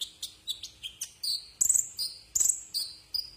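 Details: Brown-throated sunbird song, a tutor recording for cage birds: spaced high chirps, then louder buzzy whistled phrases alternating with bright high notes.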